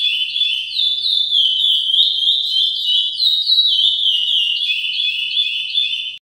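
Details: Caged chestnut-bellied seed finch in training, delivering a long unbroken whistled song: clear, high sliding notes rising and falling in smooth repeated phrases, ending abruptly, with nothing else audible.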